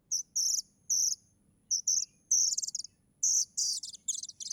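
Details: High-pitched buzzy chirps from a plaintive cuckoo chick, first in paired notes with short pauses, then quicker rattling bursts, against near silence.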